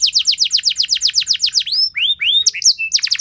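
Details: Loud canary song used to coax other canaries into singing: quick repeated down-slurred high notes, then rising curved whistles and a short level tone before a final burst of sweeps.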